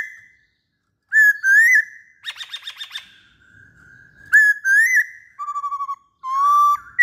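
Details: Masked laughingthrush, locally poksay Hongkong, singing steadily: clear level whistles around mid pitch, a buzzy stuttering trill, then more whistled notes and a quick rapid-pulsed phrase, with short silent gaps between phrases.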